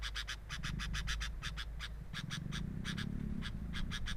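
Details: Camera at a sooty-headed bulbul nest picks up rapid, evenly spaced harsh pulses in short series, over a low droning hum.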